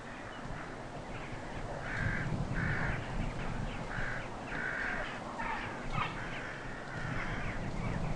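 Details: A winter flock of crows arriving to feed on bare fields near Ulsan, South Korea, gives harsh, overlapping caws in bursts every second or so over a steady low rumble of wind.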